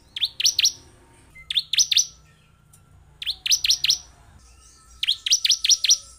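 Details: Bar-winged prinia song meant to provoke a lazy caged bird into active singing: four evenly spaced bursts, each of three to five loud, high, falling chirps delivered in quick succession, with near silence between bursts.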